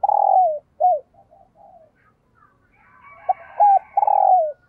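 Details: Captive decoy spotted dove cooing in the morning to lure wild doves: loud, low, hollow coos, some sliding downward, given in short phrases with pauses, and faint higher calls in the background.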